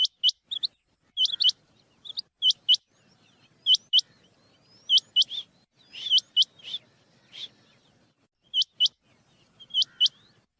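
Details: Rain quail, male and female, calling as a hunting lure: sharp, high, metallic notes in quick pairs, repeated every second or so, with a few softer scratchy calls between them.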